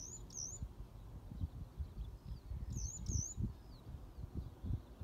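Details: Eurasian skylarks calling unseen among grain fields give high, thin alarm notes in two brief bursts, a couple of calls each, about three seconds apart, over steady low wind rumble.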